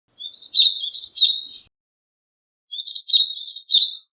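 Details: Japanese tit repeating a three-part phrase of sharp, high, chirping notes, each part ending in a whistle. The phrase is given twice with a pause of about a second between.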